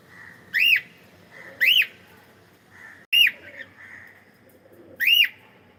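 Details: Cockatiel singing: four loud, clear whistles, each rising and then falling in a sharp arch, given about every one and a half seconds, with soft chattering between them over a quiet background.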